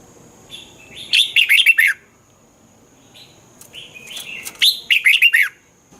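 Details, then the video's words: Red-whiskered bulbul song played to stimulate caged birds in Thailand: two bursts of loud, bright, quick descending whistled notes, four or five rapid slurred phrases each, separated by a quiet pause, with faint background hiss. "เสียงนกกรงหัวจุก สำหรับต่อ หรือ เปิดให้นกคึก เสียงเพราะๆ"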